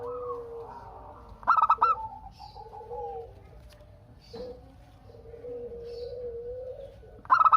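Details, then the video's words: Local zebra dove (perkutut) singing to prompt other doves to answer; a soft stuttered cooing phrase around 1.5 seconds, another at the end, with low drawn-out coos from other doves between. "Perkutut Lokal Gacor Untuk pancingan kutut perkutut agar saling bunyi BERSAUTAN"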